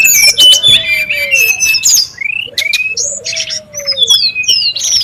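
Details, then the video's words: Brown-chested jungle flycatcher (sikatan rimba dada coklat) calling in the wild: rapid high chips and rising slurred whistles, with a lower long descending whistle recurring twice amid the busy chatter. "SUARA PIKAT DAN MASTERAN BURUNG SRDC(sikatan rimba dada coklat) RIBUT DI ALAM LIAR"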